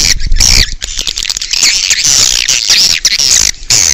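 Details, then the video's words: Swiftlets recorded outdoors, a sound used to attract swiftlets: dense, loud, high twittering chirps and sweeping trills, continuous and overlapping throughout with only brief pauses. "Âm thanh chim yến ngoài trời - Âm thanh gọi chim yến"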